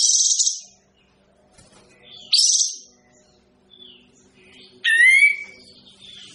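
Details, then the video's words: Kapas tembak bird singing harsh, scratchy high bursts spaced a few seconds apart, ending with a clearer whistled phrase of falling, layered notes over quiet background hum. "suara burung kapas tembak kok gak enak ya"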